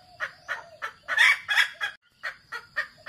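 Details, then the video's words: Wild red junglefowl lure sound: a string of hoarse, squawky clucks roughly three per second, a louder burst in the middle, a brief pause, then more clucks over a constant high whine. "suara pancingan ayam hutan ORI KASINTU"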